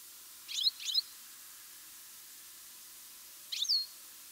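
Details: European goldfinch in mid-August: two quick high chirps together, a pause of over two seconds, then one longer slurred call with a falling tail, little else heard.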